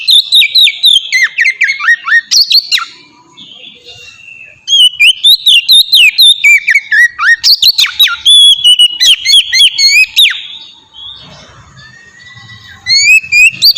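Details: Open, relaxed Oriental magpie-robin song, played as a lure to make other magpie-robins sing: bursts of varied sweet whistles and sharp clicky notes, broken by a quiet gap of about two seconds and a longer lull near the end before singing resumes.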